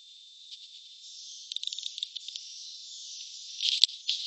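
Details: Swiftlets at a nest site give a steady high, hissing buzz broken by quick clicking chirps, then a louder burst of rasping twitters near the end.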